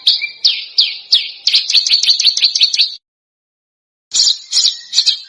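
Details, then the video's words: Harsh, dense masteran for contest birds. A few spaced, sharp, down-slurred high notes lead into a rapid run of shrill notes. After a pause, three rough notes follow. "Masteran Burung Lomba JERITAN RAPAT DAN KASAR FULL TEMBAKAN TAJAM"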